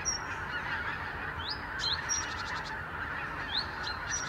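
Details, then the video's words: Geese by the thousand, winter visitors from Siberia, head from sleeping places to Lower Rhine meadows in the morning. Their continuous honking chorus carries many bright upslurred yelps and short clusters of rapid notes. "Tausende von Gänsen | Thousands of geese"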